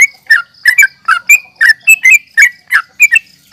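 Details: Yellow-vented bulbul fighting call, styled nggaruda uplik tarung and used to lure or excite other bulbuls: rich bubbling two-part notes in an irregular string, roughly three per second, a soft high hum underneath.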